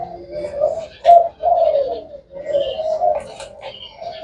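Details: Black Thai type spotted dove that coos all day: a short run of low, rolling, slightly rising coos, with faint high chirps from other birds in the background.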